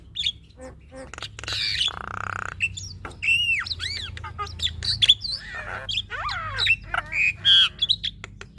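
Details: Chatty female Javan myna delivers varied song: a raspy buzz, looping up-and-down whistles and scratchy squawks tumbling one after another over faint low background hum.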